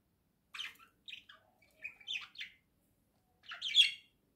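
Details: Two pet budgerigars kept indoors, playing and preening together: scratchy chattering chirps and squawky bursts in short clusters, ending with a louder buzzy squawk.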